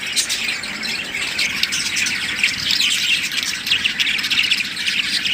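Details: Chattering budgerigars, a breeding pair of Australian parrots, with rapid, continuous twittering and occasional harsher squawks layered densely throughout, and no other clear sounds.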